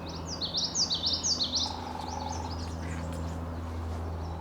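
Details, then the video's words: Male Common Yellowthroat singing from a small willow on a spring migration morning in northwest Ohio: a rapid run of high, rolling 'witchy-witchy-witchy' phrases for about a second and a half, with a steady low hum behind. "Got that witchy witchy witchy song."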